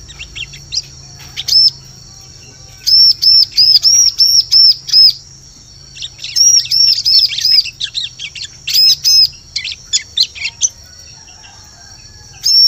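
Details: Bar-winged prinia lure call, used to attract birds in forest: bursts of short, high, arched chirps repeated rapidly in runs of four to six, separated by brief pauses, with scattered thinner tweets between.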